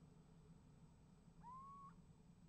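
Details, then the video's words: One little owl calling and getting an answer from another, filmed by a nest-box camera on 28 January 2015; a single plaintive whistle, rising sharply then held steady before a slight upward flick, above low droning noise. "Steenuil roept en krijgt antwoord"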